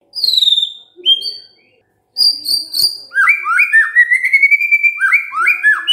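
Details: Vigorous White-rumped shama song used to stir quiet shamas into singing: pure high descending whistles, a short pause, then a fast series of repeated up-slurred whistled notes continuing steadily.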